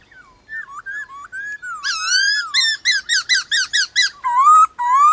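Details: White-cheeked laughingthrush in a morning contest with wild laughingthrushes: soft, wandering whistles build into a long, rich phrase and a fast string of loud, evenly repeated, clipped notes, ending in rising, fluty whistles.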